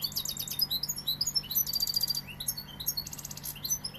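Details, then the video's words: Continuous song of a Sevillian European goldfinch: high, tinkling twitters mixed with rattling buzzy trills repeated in short bursts, lively and unbroken, with a faint steady hum in the background. "Jilguero sevillano"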